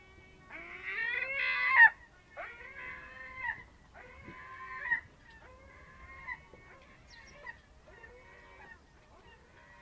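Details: Early morning, 07:40 on 27 March 2026, at a fishing harbour on the Ionian Sea near Amvrakikos National Park, Greece: a bird gives a loud strident cry, then a series of softer, drawn-out, rising nasal calls spaced about a second apart.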